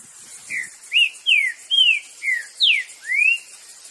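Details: Wild green-winged saltator singing free in nature: a series of seven clear, loud whistled notes, each slurred down or up, delivered at a steady pace with brief gaps, and a faint high insect hiss behind.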